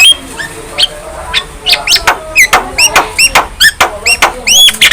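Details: Young Javan myna singing with a head-nodding display: a fast run of short chips and clicks, followed by repeated bright arched whistles near the end.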